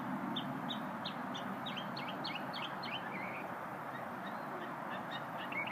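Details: Little unidentified singing bird met during a lunch break: rapid run of short high chirps and slurred notes, accelerating into a brief trill, then scattered faint notes, with constant low traffic-like rumble behind.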